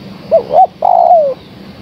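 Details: Single phrase from a female spotted dove calling for a male: two quick rounded coos, then one drawn-out coo sliding downward.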